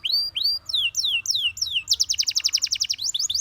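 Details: Gloster canary, singing to encourage other canaries: a series of rising then falling slurred whistles about three a second, followed by a fast rolling trill and more chirps.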